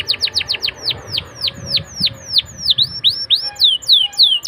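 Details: Young-canary lure song: a long run of sharp downward-swept whistled notes, fast at first then slowing to evenly spaced slurred sweeps, some rising then falling.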